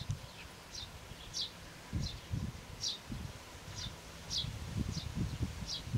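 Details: Eurasian tree sparrow (Passer montanus) nestlings in a nest box, a day before fledging, give short, high begging chirps about twice a second, over low rustling and soft thumps.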